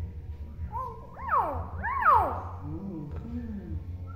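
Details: Tame hill myna, free to move about after bathing, imitating speech: arched, voice-like tones rising and falling in two swooping phrases, then lower murmured syllables, over a steady background hum.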